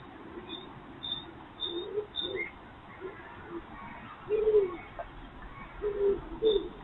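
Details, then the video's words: The first common cuckoo of the year in spring gives low, soft, falling two-note calls repeated a few times while a wild urban fox eats breakfast, with faint higher chirps from other birds behind. "the sound of the first Cuckoo of the year"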